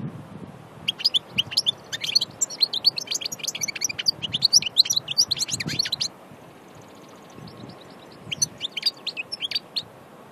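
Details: An Annaba goldfinch from Aïn Barbar sings a quick, jingling series of sharp, high notes. It goes quiet for about two seconds, then resumes the twittering phrase briefly.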